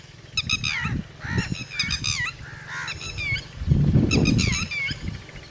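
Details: Red-wattled lapwing with chicks, known locally as tateri: loud, repeated sharp notes sliding downward in quick groups, about four a second, against heavy low rumbling noise.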